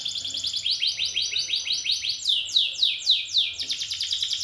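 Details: Champion canary in full song: a steady series of downslurred whistled notes, about four per second, then higher, sweeping slurs and a quicker run of notes at the end. The recording is clean.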